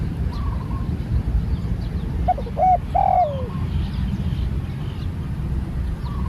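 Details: A single cooing phrase from a spotted dove in training: a pair of short soft hoots, then a longer coo sliding downward. Continuous low background rumble and faint distant bird notes.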